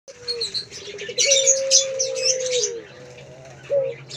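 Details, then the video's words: A male Barbary dove (puter pelung) gives a low, drawn-out coo that holds steady for about two seconds before dropping, then starts again, with busy high chirping from small birds over it. "Puter pelung jantan gacor"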